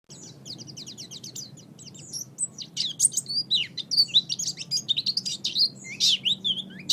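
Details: Oriental white-eye song used as a master recording for training songbirds: a rapid, jumbled stream of high, thin chirps and twittering notes, growing louder and busier in the second half.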